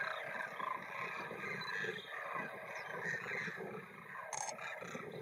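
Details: Large flock of thousands of Demoiselle cranes flying, walking and feeding in a field in India; overlapping distant rolling croaks and short tonal notes blend into a continuous murmur, with a brief sharp click near the end.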